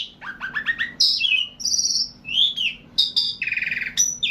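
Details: Javan pied starling (jalak suren jawa) in long continuous singing: a varied medley of rising chirp series, loud whistles, buzzy trilled phrases and swooping notes following one another without pause.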